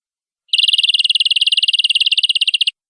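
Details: Canary song: a dense, rapid rattling trill of high notes lasting about two seconds, buzzy and uniform, starting and stopping abruptly against silence.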